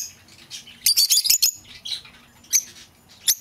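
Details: Lovebird chirping, played to lure an escaped bird home: a dense run of sharp, high squeaky notes in the middle, then a few isolated shrill chirps.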